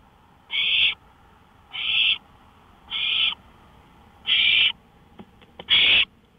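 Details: At 1:53 AM on May 5, 2013, an owl out on a porch utters five breathy, hissing bursts about a second apart, with a few faint clicks between the last two.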